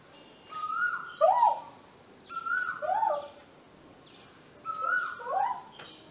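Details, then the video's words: Male Asian koel calling in the breeding season at a home in Vidhya Nagar, Hassan, India, answering a person; three bursts of paired rising koo-Ooo whistles, each pair about two seconds apart. "arguing with an Asian koel (male)"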